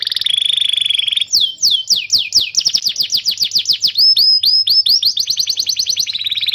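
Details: Canary singing, recorded as a master to train young birds and restart silent ones; a steady high trill opens, then a run of rapid descending sweeps turns into upswept whistled notes and a closing buzzy roll.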